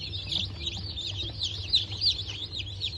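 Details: Newly hatched Bantam Cochin and Sussex chicks, hatched 03.11.2024, give a dense chorus of high, shrill peeps that overlap in quick succession, with a low steady hum underneath.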